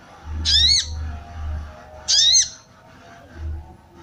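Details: Calling female sooty-headed bulbul used to arouse male birds; two harsh, buzzy, slightly rising then falling notes about one and a half seconds apart, with a pulsing low hum underneath.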